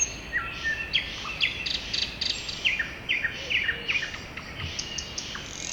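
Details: Several birds singing in a forest in springtime: rapid bursts of bright chirps and down-slurred notes repeating in quick phrases, overlapping voices, with a faint low whistle in the background.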